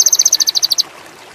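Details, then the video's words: Sogon indigo, a bird in high mating condition, giving a short burst of about twelve rapid, very high pulsed notes that stops abruptly after under a second and is followed by quiet. "PANCINGAN SOGON INDIGO ‼️AWAS BURUNG TAMBAH GACOR‼️MACET BIRAHI TINNGGI"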